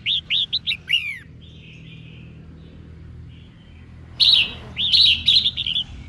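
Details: A female red-whiskered bulbul sings to stimulate males, giving two bursts of quick, bright, liquid whistled notes separated by a pause with a few soft notes, over a faint low hum.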